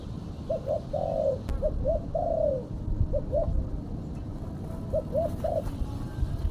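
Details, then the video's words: Female spotted dove cooing as a lure call, heard faintly over strong low rumbling background noise: pairs of short coos and a longer falling note, repeated in small groups. "Suara burung tekukur betina /pikat tekukur betina"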